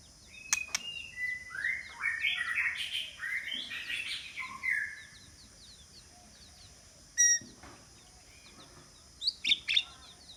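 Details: White-rumped shama singing as a decoy bird to lure rivals: a burst of rich, varied whistled and warbled phrases over about three seconds, then a few sharp isolated notes, with a steady high hiss in the background.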